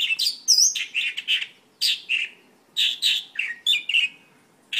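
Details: Mongolian lark singing in bursts of harsh, buzzy notes mixed with a high, wavering whistled note, short phrases split by brief pauses.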